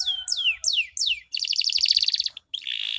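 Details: Canary lure song for birds that have stopped singing: four descending whistled slurs, then a fast chattering trill, a brief pause and a steady buzzy roll.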